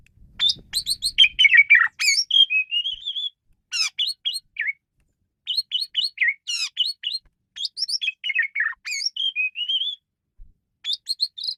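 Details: Asian pied starling in continuous varied song: quick squeaky chirps, buzzy trills and rising whistled runs strung together almost without break.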